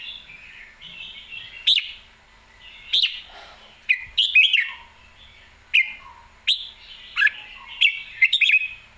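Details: Red-whiskered bulbul, a songbird in Thailand, repeating short lilting whistled phrases with sharp accented notes, spaced about one to two seconds apart.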